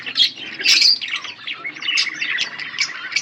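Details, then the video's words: Budgie pair, kept as pets, chattering steadily with scratchy high chirps, quick warbles and a brief louder squawk near the start. "Budgies chirping sounds"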